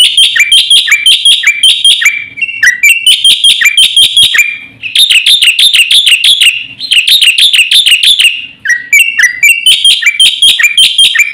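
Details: Black-winged starling in nonstop full song, meant to provoke and tutor other songbirds: long runs of rapid, loud, ringing chips and chatter, broken by short downslurred notes and brief pauses.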